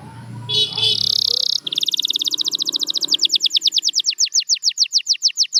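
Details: Canary song beginning with a rich buzzy trill over faint low background noise, then a long accelerating train of fast repeated high chirps, over forty notes.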